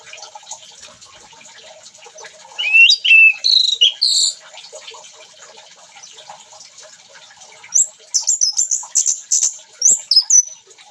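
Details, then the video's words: An orange-headed thrush at a bathing spot gives two bursts of lively song, loud sweeping whistles and slurred notes around the third and eighth seconds, separated by a stretch of soft background chirping and insect-like hiss. "anis merah gacor di tempat mandi"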